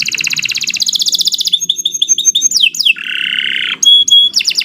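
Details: Continuous canary song meant for training other birds: a rapid harsh trill opens, followed by short chirps under a thin sustained whistle, steep downslurs, a long rasping rattle, clear ringing whistles and more fast trilling.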